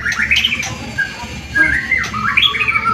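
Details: A white-rumped shama's song used to stir other birds to sing: bright rising whistles and quick trilled flourishes in short bursts, separated by brief gaps, over a soft background hum.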